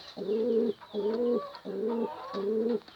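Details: Male-type courtship cooing of a pigeon calling a female: four even, sustained low coos, each lasting about half a second, with brief pauses between them.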